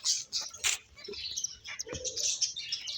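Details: Playing finches chirp rapidly: sharp, high tweets follow closely one after another, with a short lower note now and then and little background noise.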